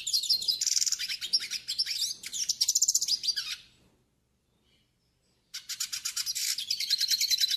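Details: Warm-up and training song of the northeastern hooded siskin: pulsing, rapid high twitters and rattling trills for about three and a half seconds, a pause, then another run of fast buzzy chatter.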